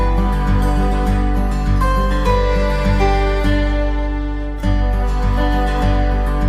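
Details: Slow, soft instrumental music with sustained low notes and gentle melody, and no animal sounds.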